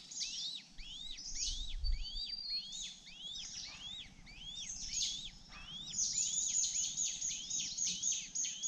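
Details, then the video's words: Younger honey buzzard chick, hungry and slumped after failing to get bee pupae, calling with sharp, high, curved chirps about four per second, a soft thump near the start and higher overlapping peeps toward the end. "Honey Buzzard's youngest child didn't eat the bee pupae and was so hungry"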